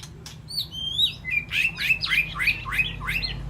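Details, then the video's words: Caged White-rumped shama in an aviary calling to the flock: clear rising whistles followed by a fast series of about seven loud, sharp swooping notes. "Sound of White-rumped Shama Call to Flock"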